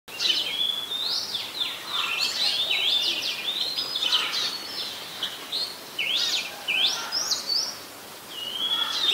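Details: Oriental magpie-robin, a very common resident, singing in Ubon Ratchathani, Thailand, on 26 December 2020; sweet whistled phrases sliding up and down, with varied notes in quick succession over faint background hiss.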